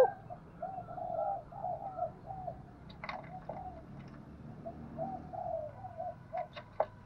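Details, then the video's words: Spotted dove decoy bird calling in the vigorous Vietnamese 'thúc gù' style, used to draw wild doves in. Low, soft cooing phrases roll out in quick runs, with a brief pause and another burst near the end, broken by sharp knocking clicks. "Tiếng chim cu gáy Thúc Gù bài bản rất sung và hay, bổi nghe nhanh về cội"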